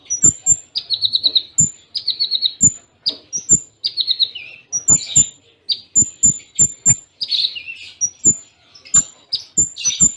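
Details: Konin masteran, full Cililin tembaan with short pauses: dense bursts of trilled notes and high piping whistles follow one another quickly, a few harsher buzzy phrases, low knocking thuds in between.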